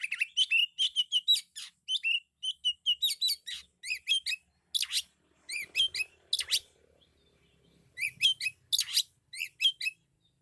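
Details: Loud, full song of a kacer, the Oriental magpie-robin: rapid runs of bright whistled and scratchy high notes delivered in dense groups, broken by brief silences, with a quiet stretch midway and faint low background noise.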